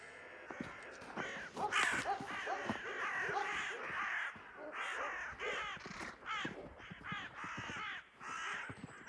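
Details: Several crows mob a hawk carrying a freshly caught collared dove, early on an end-of-March morning: a dense, overlapping chorus of rasping caws that barely pauses, repeated calls crowding one another throughout.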